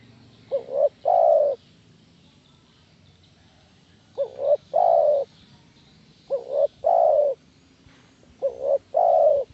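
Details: Spotted dove call used to lure other doves into answering: four phrases, each a quick pair of short rising notes followed by a longer, fuller, slightly falling coo, spaced unevenly about two to three seconds apart over a low background hum.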